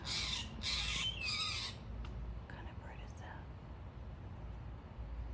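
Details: A Steller's jay in a Seattle yard, perched in a tree by crocosmia, gives three loud, harsh, raspy calls in quick succession, then falls quiet; steady low rumble beneath, a few faint chirps after.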